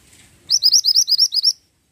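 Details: Pied bushchat, called mantenan gunung, singing actively: a quick run of about nine high, sharply upslurred whistled notes packed into one second, then silence.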